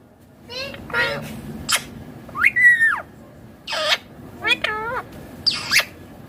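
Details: Rose-ringed parakeet chattering while it eats: short wavy chirps, a flat, sustained nasal note that breaks off, then more squeaks and a rasp, all separated by brief quiet gaps.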